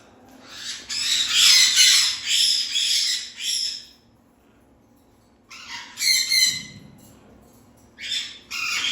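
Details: Parrot giving harsh, raspy squawks in a dense burst for about three seconds, then a pause, then two shorter rasping outbursts near the end.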